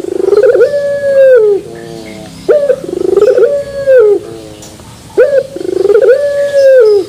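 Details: Turtle dove of the puter pelung type in terasan bermetal style, repeating its phrase three times: sharp opening note, quick pulsing build, long level coo sliding down, then quieter banded coos between phrases.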